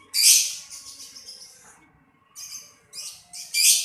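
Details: Lovebird uttering a loud harsh shriek followed by softer twittering, a quiet gap, then more chirps and another loud shrill burst.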